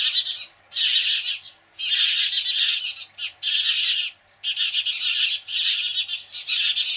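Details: House sparrows screeching at a Cooper's hawk in separate bursts, each about a second of frantic, harsh chattering, with short silences between the outbursts.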